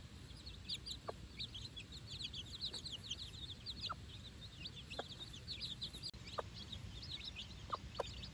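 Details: Four-day-old chicks foraging on fresh grass with their mother on their first outing; continuous high cheeps from the group, punctuated by scattered soft ticks every second or so.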